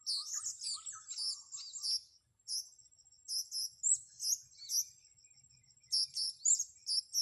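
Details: Blue-crowned hanging parrot during luring, with busy bursts of shrill, very high twittering chirps in quick succession, pausing briefly mid-clip, over a faint high whine.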